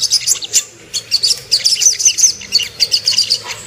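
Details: Lure song of the Ruby-cheeked sunbird, played to make birds aggressive and aroused: clusters of high, thin, sibilant chirps in short rapid runs separated by brief gaps.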